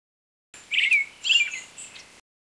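A brown-headed thrush gives two thin, high, slurred chirps about half a second apart, with faint sharp ticks mixed in; nothing else is heard.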